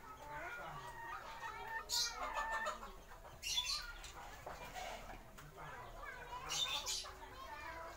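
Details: Original Thai Bangkok and Siam chickens call in overlapping harmonic clucks and squawks, with several sharp high bursts and faint human speech in the background.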